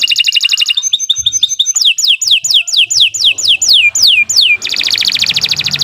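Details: Singing canary delivering long continuous song for training other birds: a dense high roll, a pause of scattered chirps, then about eight clear downward-slurred whistles in a row ending in a rich, fast warbling trill.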